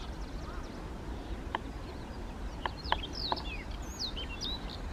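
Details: Siberian rubythroat song recorded handheld with an SX70HS in Kushiro, Japan, on 3 July 2019; a few sharp clicks precede a run of bright, sliding high whistled notes near the end, with low background noise.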